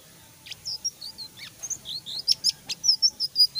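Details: A Blue-winged Minla starting to sing in full voice, a quick run of thin, high chirps and squeaky whistles, about two to three notes a second, growing louder and busier.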